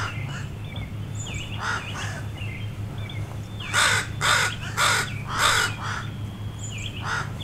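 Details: A gathered crow flock scolds a dog wandering near two juvenile crows learning to fly; scattered distant caws give way to a loud run of four rasping caws midway, then fainter calls, with low hum throughout.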